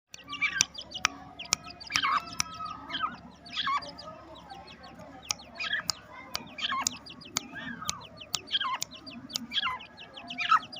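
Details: Two-month-old black francolin chicks in a home aviary, happy at being let out, give many thin, high chirps that slide downward and overlap in busy bursts, cut by sharp, loud clicks.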